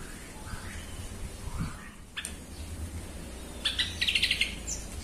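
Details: Yellow-vented bulbul used as lure song to rouse other bulbuls: soft faint notes early, then a clear quick chattering phrase of repeated bright notes in the last second, over noticeable low background noise.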